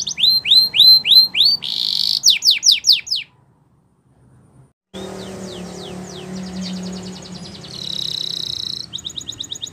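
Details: Canary singing Spanish Timbrado training song: repeated rising whistles and trills, a silent gap, then softer trilling and rolls over a noisier background hum.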